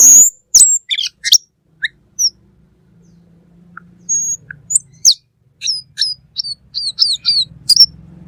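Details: Black magpie in full, energetic song, used as a tutor recording for training songbirds: scattered sharp chips and short high whistles, some downslurred, coming in brief bursts with pauses between them over a faint low hum.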